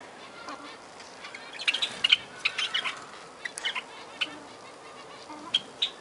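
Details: Zebra finches from an aviary setting, a mix of short nasal honking calls and sharp chips from several birds scattered through a busy, noisy background.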